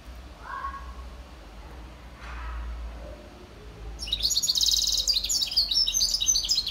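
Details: European serin mule (hybrid) singing, recorded in 2021: after faint scattered notes, a loud, very high, fast jingling, buzzy twitter breaks in halfway through and runs to the end.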